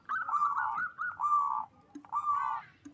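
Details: Local zebra doves from a Bekasi, West Java breeding farm in Indonesia, singing strongly to raise mating drive: three purring, trilled coo bursts about a second long, separated by short gaps.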